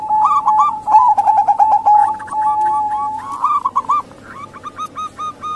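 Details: Cooing of local female zebra doves, played to lure males into singing. A dense stuttering trill opens, then slows into separate soft coos that fade toward the end.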